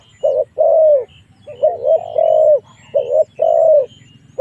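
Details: Cooing of a spotted dove used as a lure to make wild doves fight; three rhythmic pairs of mellow notes, short then long and gently falling, over a low background rumble.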